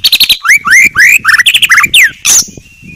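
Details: White-rumped shama singing very clearly: quick chips, then loud rising whistled slurs and varied fast phrases, a harsh note, and a thin fading whistle at the end.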